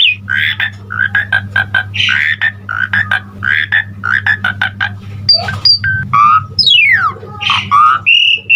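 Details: Asian pied starling giving full-fill-in song: dense rhythmic harsh chattering phrases repeated steadily, then high whistles, a steep falling sweep and slurred whistled notes, backed by a low electrical hum.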